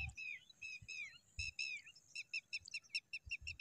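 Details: A pipit that has picked grass from its nest gives thin, high chirps. The first notes sweep and vary, then turn into a quick run of short, sharp notes about five a second. Soft low thumps sound underneath.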